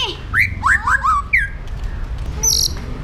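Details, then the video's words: White-rumped shama in captivity, singing an aggressive song used to train other birds: several rich, curving whistled notes in a rapid cluster, then a brief high buzzy sound. "PASTOL JAHAT MENTAL BAJA | MASA DEPAN CERAH | SHAMA BIRD"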